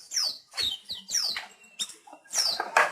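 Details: Weaver song used as a master recording for training pet birds: harsh, scratchy descending notes in short bursts about every half second, with buzzy high sweeps and some wheezy overtones.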